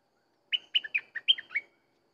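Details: Sooty-headed bulbul singing a quick phrase of six clear, liquid notes that drop and rise in turn. The phrase lasts just over a second and stands out against total silence.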